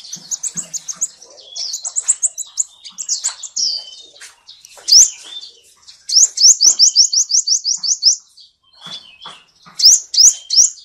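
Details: Sunbird song mixing scratchy, fast chatter with bright, rising chirps. Midway comes a steady run of about a dozen quick, evenly repeated notes, then a few isolated sharp sweeps. No other noise.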